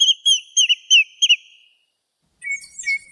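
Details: Common redshank singing in the wild in Greece: a run of fluted, looping whistles in quick succession, followed after a short silence by a different, flatter whistled call with a higher sweeping note.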